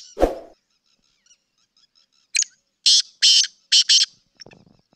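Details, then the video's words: Sindhi black francolin, or kala teetar, after a low thump: a brisk run of five harsh, grating, broadband notes in a quick uneven rhythm, ending with a soft rustle. "Kala teetar Ki awaaz video سندھی کالے تیتر کی مکس اوازیں"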